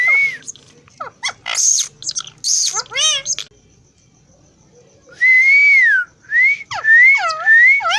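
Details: Talking parrot with a sweet voice producing clear speech-like syllables and loud, bending whistles, with a quiet pause in the middle, then rising-and-falling whistled phrases in quick succession.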